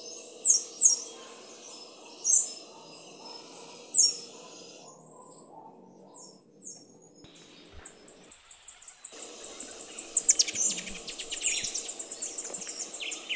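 A Black-crowned palm-tanager gives a few thin, high chips, then a quick, chattering run of sharp, very high notes over a soft background hum.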